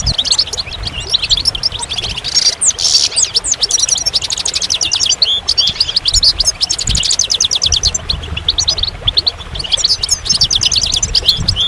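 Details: Goldfinch pouring out a long, bright, twittering song of rapid chirps, buzzy trills and tinkling notes, with only brief pauses and little background noise.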